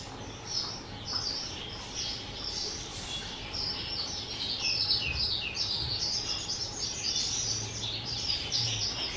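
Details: Skylark kept as a pet, aged two, recorded 18 April 2023, pouring out a long, rapid, high-pitched jumble of chirps, trills and whistles with scattered soft low thumps in the background.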